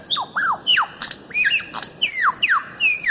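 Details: Bird-of-paradise recording from Papua, Aru Islands, used to train songbirds: a fast series of loud downslurred whistles, roughly nine in three seconds, each dropping steeply from high to mid pitch.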